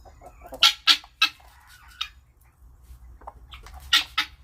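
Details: Noisy, contented guineafowl giving scattered harsh, scratchy squawks at irregular intervals, some in quick pairs, over a faint low background hum.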